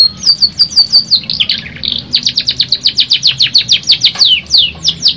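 Canary singing a fast, bright string of high chirps and trills, about five notes a second, with a brief buzzy passage in the middle.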